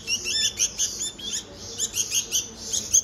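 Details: Young bulbul chicks take food by hand and call with thin, piercing cheeps in steady bursts about every quarter second.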